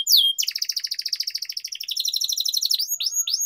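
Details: Trained canary song: a whistled opening slur, then a long, even, buzzy trill of rapid pulses with a bright metallic tone, finishing with a few rising sweeps.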